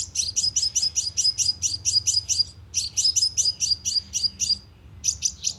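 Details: Sunbird lure call played through a loudspeaker trap: high, sharp chips repeated in fast trains of about eight notes, pausing briefly between series, with a faint low hum underneath.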